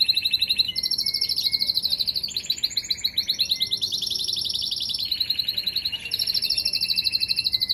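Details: A canary sings steadily, mixing rapid rolling trills with short clear whistled notes and buzzy phrases, each tour changing pitch every second or two, bright and continuous.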